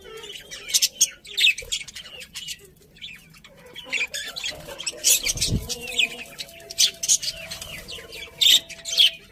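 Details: Pet budgerigars chirping: bursts of high, scratchy chatter and squeaky notes in quick clusters, with short quiet gaps between groups of calls.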